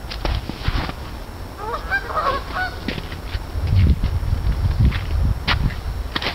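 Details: Lots of geese honking, a cluster of short nasal calls bunched together in the middle, over a heavy low rumble of wind and scattered rustling thumps.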